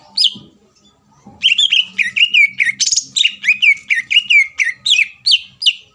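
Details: Energetic greater green leafbird song used to stir a rival into answering: a rapid series of sharp downslurred whistles with buzzy high overtones, delivered almost continuously after a short pause.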